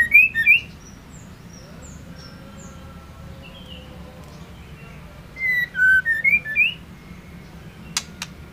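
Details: Female white-rumped shama calling to arouse males: brief rising whistles at first, faint high notes, then a lively cluster of up-and-down whistles and a final click.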